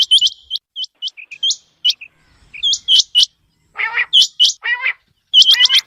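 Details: Quail call for morning hunting use: strings of brisk upward-flicking whistles, some softer lower chips, then a burst of coarse buzzy notes before more rapid whistles.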